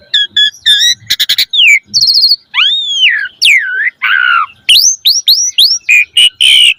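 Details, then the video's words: Full, richly varied Asian pied starling song, used to coax caged birds into learning more song material: quick chirps, harsh broadband bursts, swooping whistles and a run of repeated rising-falling whistled notes, loud and clear. "Suara Jalak Suren Gacor Full Isian Mewah Auto Bongkar Isian Pancingan Burung Jalak Agar Isian Bagus"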